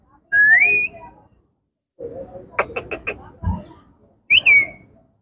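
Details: Pet Indian ringneck parakeet talking: a rising whistled note, a burst of rapid clipped speech-like syllables with a low thump, then a short bright upslurred whistle.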